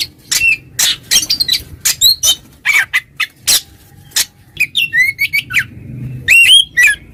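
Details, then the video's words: Ngeplong-style song of an oriental magpie-robin calling a rival: rasping, noisy bursts in quick succession, then clear, sliding whistled notes near the end. "suara burung Kacer NGEPLONG memanggil lawan, lawan EMOSI seketika"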